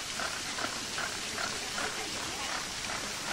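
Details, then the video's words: Zoo flamingos at Marwell, UK, call steadily. Short nasal honks come in a regular pulse, two or three per second, against a broad wash of fountain spray. "10 Hours of Flamingo Sounds"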